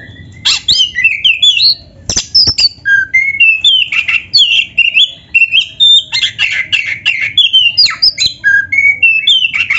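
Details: Continuous gacor song from a kacer dada hitam, the black-breasted magpie-robin: a steady stream of short, varied whistles, slurs and chips delivered at a fast pace, imitating canary-style phrases.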